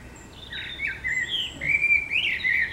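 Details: City blackbird at morning wake-up: low, liquid fluted notes sliding up and down, rising into a brighter warbling phrase toward the end, clear over faint background hiss.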